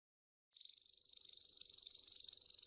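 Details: Canary giving a sustained, very fast high-pitched trill that starts abruptly after a brief silence and swells slightly in loudness.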